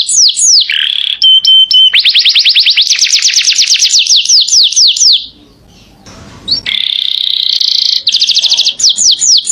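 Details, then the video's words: Canary singing energetically: loud, high sweeping notes running into long buzzy rolls and rapid trills, a short break, then more buzzy rolls and quick slurred notes. "Burung kenari gacornya kelewatan"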